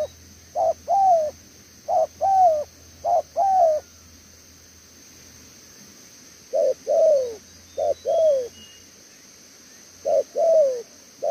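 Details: Spotted dove, a caged bird kept for song, giving a short two-part coo: a brief note then a longer downward-bending coo, pairs repeated in bursts with long pauses between, over a steady high hiss.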